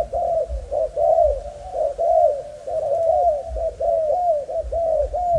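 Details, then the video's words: Young Malaysian spotted dove in a quick run of mellow, arched coo notes, about one per second, loud and unbroken through the clip. "Cu gáy Malaysia/chim tơ giống 55"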